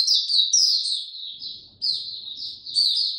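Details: Oriental white-eye's high, sweet warble sung slow and easy, descending chirpy phrases broken by a brief silence, then resuming with bright twittering.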